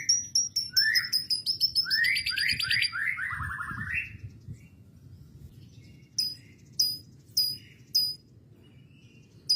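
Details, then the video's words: Canary singing lovebird-imitation phrases: a rapid rolling trill of stepped, descending notes for about four seconds, then a pause and sparse, sharp high chips. "ketemu kenari isian lb istimewa perihh"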